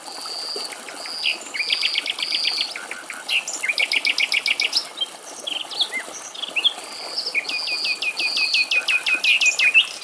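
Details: A male European stonechat in Greek countryside sings a high, varied song: thin whistles and quick runs of repeated notes, with fast trilled bursts in between.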